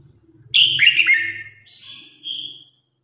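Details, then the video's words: Red-whiskered bulbul competition song and flock-gathering call: a quick burst of bright, liquid whistles that slur downward, ending in a thin, drawn-out high note, over a faint low hum. "Tiếng Chim Chào Hót Đấu /Tiếng Hót Gọi Bầy Đàn"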